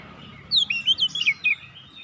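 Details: Oriental magpie-robin singing a short burst of varied whistled notes, rising and falling slurs packed into about one second, over a faint low hum.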